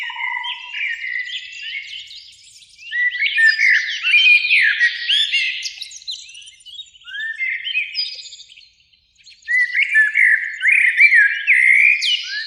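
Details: Evening in spring, two blackbirds in a beech near a lake: several rich fluted phrases with rising slurs and squeaky flourishes, a brief silent gap, then another loud warbling run; a low whistle at the start.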